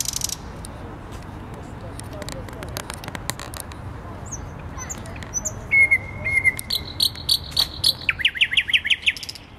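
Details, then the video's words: Thrush nightingale in full song around half past midnight, 12 May 2020, in a tree on a square in central Warsaw; faint ticks and clicks lead into a drawn-out whistle, a high trill, then rapid repeated rising notes. "Słowik Rdzawy śpiewa w centrum Warszawy"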